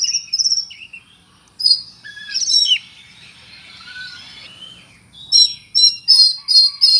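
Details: Cricket-filled song of an Oriental magpie-robin: high whistles and slurs, a sustained buzzy trill like an insect, then five loud, evenly spaced ringing chirps at the end.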